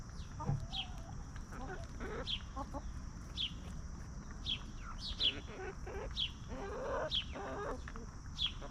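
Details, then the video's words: Free-range chickens forage and snack while roaming a backyard farm, giving a steady stream of low, peaceful clucks and drawn-out murmurs, accompanied by regular downward-slurred wild-bird chirps and a faint high droning background. "Chickens Roaming, Snacking & Clucking"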